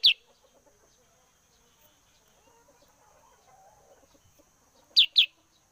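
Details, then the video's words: Sooty-headed bulbul, used as a bird lure, giving one bright, high, downslurred note, then after a pause of nearly five seconds a quick double note of the same shrill kind. "Kutilang sutra gacor cocok sebagai pemikat burung"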